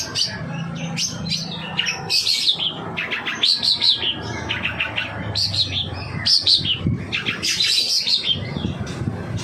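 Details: Lure song of a long-tailed shrike: a fast, varied chattering stream of high whistles and sweeping notes in bursts, with a faint low hum underneath.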